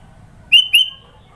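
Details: Sooty-headed bulbul in Sidoarjo, East Java, giving two bright, loud whistled notes in quick succession, the second drawn out and level, as part of its varied filler song.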